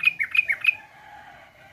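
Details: Sooty-headed bulbul singing in a young-versus-adult comparison: a short, loud burst of five clear, chirpy notes in quick succession, then a soft, lingering faint tone.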